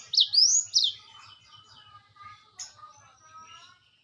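A Black-throated Canary opens with loud, high swooping whistles, then drops into a softer, rambling warble of quick varied notes, over a faint low ticking.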